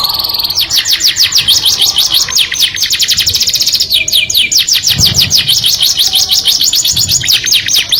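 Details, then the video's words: Canary delivering its melodious song to attract the opposite sex, a long run of fast repeated high trilled notes, about two per second in clustered phrases, changing tempo midway with a couple of low thumps. "o som melodioso de um canário atrai o sexo oposto"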